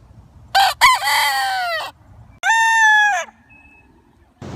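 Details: Rooster crowing: a harsh rising-falling cock-a-doodle-doo, then a second shorter steady crow after a pause, with faint background noise.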